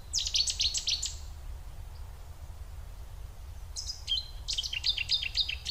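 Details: Cetti's warbler song: two sudden, loud bursts of rapid, ringing notes, about a second each, separated by a brief pause, over a low steady rumble.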